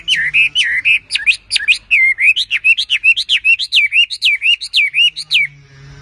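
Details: Chinese hwamei, a bird native to China, singing loud clear whistled phrases that swoop up and down, about two to three notes each second in a steady run, with a faint low hum beneath.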